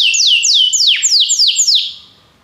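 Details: Belgian canary singing to stimulate other canaries: six clear descending whistled sweeps, evenly repeated about every quarter second, then fading out.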